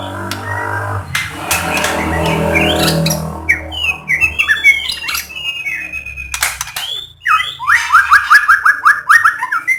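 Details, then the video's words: White-rumped shama song used to prompt other shamas to sing; a noisy, humming start gives way to bright whistled phrases and a fast series of repeated chipping notes at the end. "Masteran Burung Murai GACOR BIKIN Burung lain akan terpancing ikut BERKICAU"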